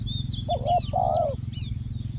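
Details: Spotted dove used as a ground decoy bird, calling: a short clipped coo followed by a longer, steady mid-pitched coo, with faint chirps of other birds and low rumbling background noise.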